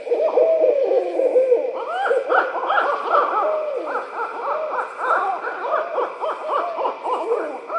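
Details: A pair of barred owls near Suwannee River State Park, Florida, trade "laughing" calls to each other, a wild, cackling chorus of rapid hoots and rising and falling whoops, an excited, monkey-like caterwauling throughout.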